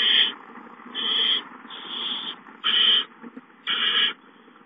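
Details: Nest of barn owl owlets, 19 April 2013, hissing while an adult brings in a mouse at 8:19; five harsh, airy hisses about a second apart, varying in length, with low background hum between them.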